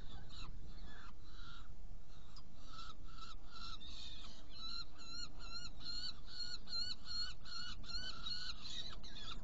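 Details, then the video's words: Saker falcon in Hungary, 16 June 2018 at 18:57, prey delivery and feeding two young: scattered harsh notes at first, then a quickening run of clipped, downslurred calls, over steady deep rumble. "Saker Falcon Hungary 2018-06-16 Prey delivery and feeding two Young ones"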